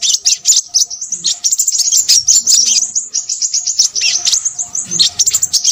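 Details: Crimson sunbird singing noisily, a rapid, unbroken stream of very high-pitched twittering and sharp chirps, densely packed notes tumbling without pause from start to finish, with faint soft clicks low in the background.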